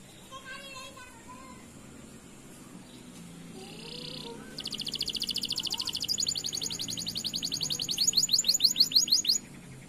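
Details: Canary lure song meant to set silent canaries singing; after some faint scattered notes, a loud, dense, rapid rolling trill begins halfway through and runs on, rising in strength toward the end.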